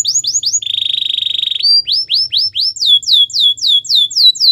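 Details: Canary singing a training song meant to woo other canaries: quick falling whistles, a long low rattling trill, then rising and sweeping descending notes repeated several times a second.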